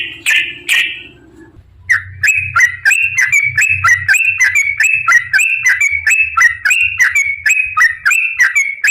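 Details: Yellow-vented bulbul giving a long fighting song, a trucukan 'tarung ropel panjang' used to provoke other bulbuls into singing; two short harsh notes, a pause, then a rapid run of bubbly, slurred two-part notes repeated about three per second.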